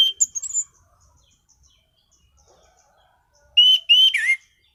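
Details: Orange-headed thrush in a cage singing: a high thin whistle at the start, then after a quiet gap a loud burst of three sweet slurred whistles, the last dropping in pitch.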